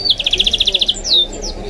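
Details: Hybrid goldfinch × canary (mule) gives an even series of about a dozen sharp, high chips in under a second, followed by a descending whistled slur; faint talk in the background.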